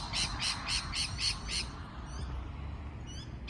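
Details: Parrot calls in a quick, even series of six short squawky chirps, then a pause with only faint notes before one more call at the end, over low background noise.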